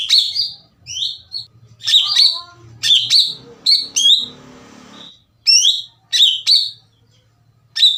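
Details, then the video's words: Lure song of a greater green leafbird meant to provoke rivals: rapid sharp chirps and upward-slurred whistles in quick clusters, with a faint low rumble in the background during the first half. "PANCINGAN CUCAK IJO GACOR CEPAT MENAIKAN EMOSI CUCAK IJO LAIN"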